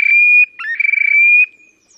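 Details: Terek sandpiper display song from the Oka Nature Reserve, Russia, late April 2019: long level high whistle, a brief upslurred note, then a rapid vibrating trill easing back into a drawn-out clear whistle, no other sounds.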